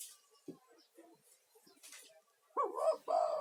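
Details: Male spotted dove giving a lively lure call meant to attract other doves and calm stressed caged ones; faint rustles and clicks, then two strong, rolling coo notes at the close.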